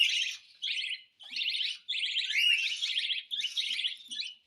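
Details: A cockatiel begging at hand-feeding time repeats fast-trilled, scratchy rasps in tight clusters, roughly seven bursts. Some are run together, with a brief silence after the second.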